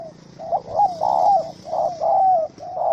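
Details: Wild spotted dove (Spilopelia chinensis), angry in a small rope trap, 04/07/2017, cooing in a rapid run of five or six low, slightly wavering hoots with hardly any pause between them.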